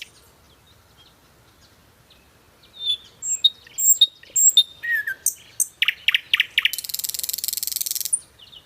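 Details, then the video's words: After a quiet start, a nightingale bursts into song with thin whistles and sharp high notes, several strong throaty pulses, and finally an extended, dense, grating trill. "Song of Nightingale _ the best song of Nightingale۔ بلبل کی چہکتی ہوئی پیاری آواز!صدا बुलबुल के गीत"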